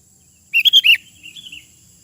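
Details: In the wild, a sooty-headed bulbul gives a clear phrase of four rich, rounded whistled notes rising and falling, then trails off into softer, lower-volume notes; faint steady high hiss behind.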